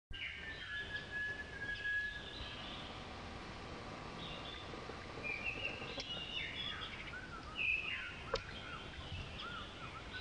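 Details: Female long-tailed minivet at Pelling, Sikkim, India, in May 2018: thin, high whistled notes and short chirps come in loose scattered bursts over a steady hiss of outdoor background noise.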